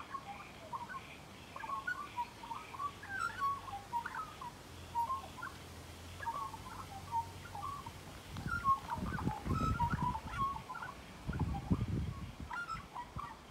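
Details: Magpie at close quarters produces a long, continuous series of fluty, yodelling notes in bursts, while low rumbling noise builds up in the second half.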